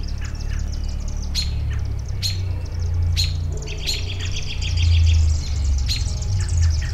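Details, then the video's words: Several birds calling outdoors: sharp, high clicks spaced a second or so apart, mixed with short runs of thin twittering notes, over a constant deep droning rumble that swells toward the end. "Bird Sounds"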